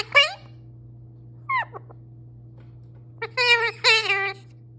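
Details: Pet parrot, male, talking continuously: a sharp falling syllable, a short quieter slurred phrase, then a longer pair of loud, wavering, harmonic words, with a constant background hum.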